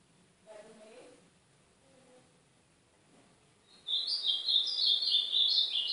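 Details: Training recording of an ultramarine grosbeak from Brazil's northeast: after a near-silent start with faint low sounds, a loud, quick warbling of sliding high whistles bursts in for the final two seconds.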